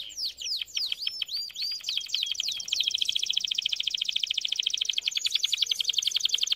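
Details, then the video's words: Canary singing for song training: varied sweeping notes leading into a long, very fast, even buzzy trill that continues for several seconds. "Most powerful song for training Canary"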